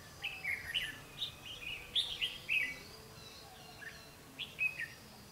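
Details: Trap decoy red-whiskered bulbul, 12 August 2016, singing to draw in wild birds: rapid sequence of clear, chirpy, whistled notes, then two shorter phrases after a pause, with light background hiss.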